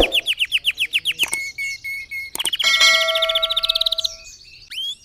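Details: Red factor canary song meant for teaching other birds: a series of descending chirps, a pause, then a fast rattling trill joined by steady pure whistled tones, closing with a rising sweep.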